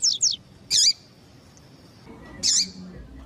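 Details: Female double-collared seedeater, whose calling breeders use to get males singing: two fast slurred notes, then two loud high chips roughly two seconds apart, over a faint hum.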